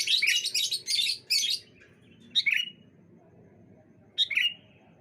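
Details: Bright-morning sooty-headed bulbuls answering each other: a run of loud, rapid, harsh chattering notes for the first one and a half seconds, then two separate short phrases of a high note dropping into a mellow slurred whistle.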